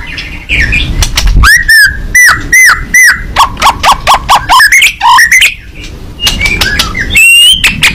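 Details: Fighting white-rumped shama singing with beak open, pouring out loud arched whistles in quick series, some doubled, shifting to higher thin slurred notes near the end.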